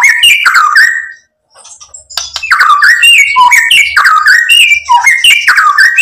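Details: White-rumped shama song used to provoke another bird into singing; an opening burst of whistles, a brief silent gap, then a rich stream of rising and falling whistled notes with rasping accents.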